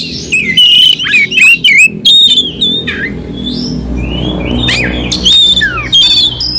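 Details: Oriental magpie-robin singing clear phrases with rough filler to stir a cold bird: sweet slurred whistles and harsh clicks, a quieter gap midway over a low hum.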